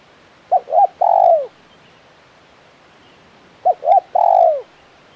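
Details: Two identical phrases from a spotted dove (tekukur) in the KUK 1 style, about three seconds apart: two quick short coos leading into a long, mellow coo that bends downward.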